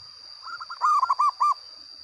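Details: Local zebra dove singing loudly and actively: a quick stuttering lead-in followed by a few strong, rounded cooing notes with brief gaps, against a thin, constant high whine.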